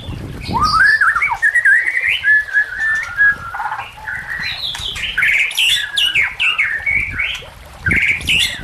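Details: White-rumped shama song for training and luring other shamas: a long varied stream of whistled, warbling phrases that climb higher toward the end, with short pauses and a soft low rumble in the background.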